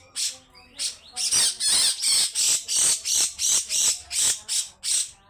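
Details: Grey-cheeked bulbul giving long, harsh 'besetan' calls: loud rasping bursts repeated about three times a second in a steady chattering run, with a few fainter thin notes at the start.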